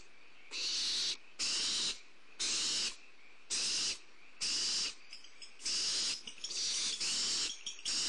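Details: Barn owl owlets at a prey drop on a nest camera, 2 April 2011: harsh, broadband hissing screeches, each about half a second long, repeated roughly once a second in a steady series, with short quiet gaps between.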